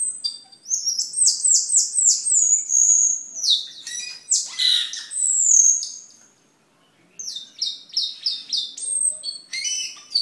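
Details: Masteran material of a cucak keling singing gacor: rapid repeated high downslurred whistles in a quick series, scratchy chatter, a brief silence, then another fast whistled sequence.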